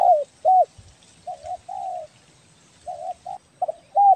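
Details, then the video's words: Tekukur belah dada, a spotted dove type from Kepri, calls vigorously for use as a lure: soft hooting coos, short arched notes alternating with longer flat ones, about ten notes in four seconds. "SUARA BURUNG TEKUKUR BELAH DADA GACOR BAGUS BUAT PIKAT"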